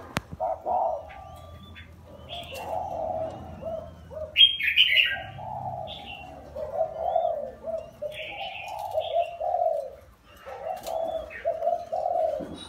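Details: Spotted dove, wild-caught and caged for four years, utters broken low coos in short bursts, mixed with frequent higher chirps and twitters of other birds.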